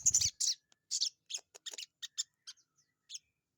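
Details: Sogon bird held in the hand, singing actively: rapid string of thin high chirps and clicks, closely spaced notes, with a brief low thump at the start.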